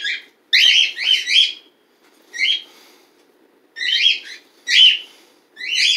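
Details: Household pet bird, parent of a chick born December 12th 2018, with cats around; bursts of loud scratchy chirps in clusters of two or three, separated by short quiet gaps.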